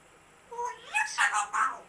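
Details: African grey parrot making a rapid run of bending, harmonic squawks and whines, rising and falling in pitch, loud and close in a small room.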